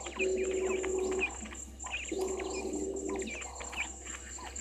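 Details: Spurfowls at the Gowrie dam waterhole on Djuma Game Reserve, Sabi Sand Wildtuin, South Africa, late afternoon on 22 August 2023: low, harsh rasping bursts about a second long, repeated three times, with small birds chirping thinly above.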